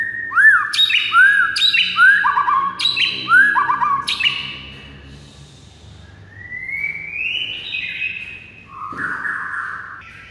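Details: White-rumped shama singing to provoke rivals: a series of loud looping whistles repeated about every second and a half, then softer rising and falling whistled notes.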